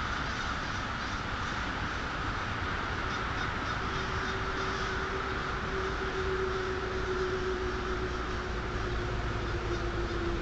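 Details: Twilight crow gathering at Polish Hill on 1/6/12, countless harsh caws blending into a steady roar, while a low, even hum joins midway and continues to the end.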